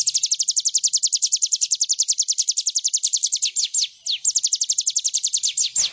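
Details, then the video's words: Bar-winged prinia singing tirelessly for use as a training master: a long, very fast train of high, thin downslurred notes, briefly broken near the end before resuming. "Ciblek gunung gacor full bren"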